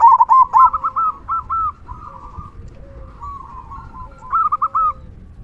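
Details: Zebra dove of local stock, a frequent singer with a big "kung" voice meant to lure other doves into singing: bursts of rapid, warbling coos, pausing, then resuming, with a faint lower coo between bursts.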